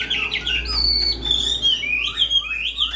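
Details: Tame caged Chinese hwamei in full voice: bright, high whistled notes and long sliding slurs, with a steady low hum underneath.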